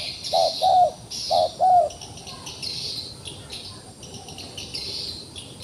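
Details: Wild pigeon caught in a trap and still fighting: four short, low cooing notes in two quick pairs during the first two seconds, then quiet, over a steady high insect buzz.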